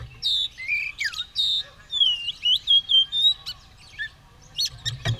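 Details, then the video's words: Oriental magpie-robin, primed to fight and spreading its tail, gives drawn-out whistled notes and a falling slur, then rapid clicks, ending with a low knock. "Burung kacer siap tarung buka ekor gacor"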